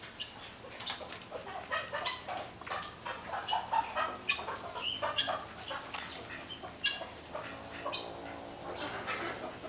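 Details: Soft, irregular clucks and short chattering notes from Lady Amherst's pheasant hens, coming in loose bursts across the recording against a constant hissing background.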